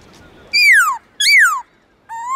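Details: Black-throated laughingthrush singing its "forest voice" style in the morning, with long loud clear notes: two bright whistles sliding steeply downward, then a steady rising whistle after a pause.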